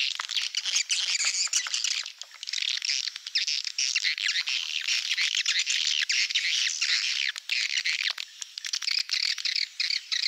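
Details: Swiftlet calling sound of the Malaysian type, used as a lure for swiftlet farming in Indonesia: a dense, continuous chorus of high, overlapping twittering chirps with rapid clicky notes and a few short pauses.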